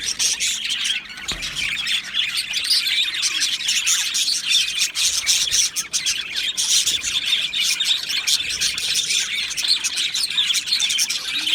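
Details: Budgerigar colony kept in an aviary, recorded 12 July 2025: a continuous, dense wall of high chirping and twittering from many birds, steady in loudness throughout with no pauses.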